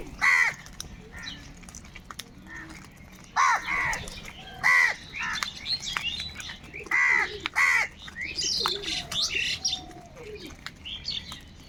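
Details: Crow flock calling, harsh caws rising out of a busy background of many birds, with scattered higher chirps and softer calls between the louder bursts.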